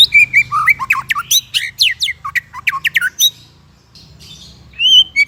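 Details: White-rumped shama song used as tutor material for raw and stalled shamas: loud varied whistles and steep descending sweeps in quick bursts, a short quiet pause, then a rising pure whistle near the end over low background hum.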